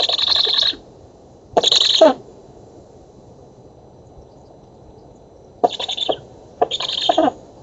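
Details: Young black storks in an oak nest in Poland during feeding, 11 August 2017, nest camera. Two hoarse hissing bursts, a long quiet pause, then two more broken, rasping bursts.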